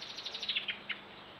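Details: Two flirting Dunnocks in early morning, caught on a trail camera: a quick run of about ten short, high, thin notes that rise in loudness, then a final separate note, over a faint background hiss.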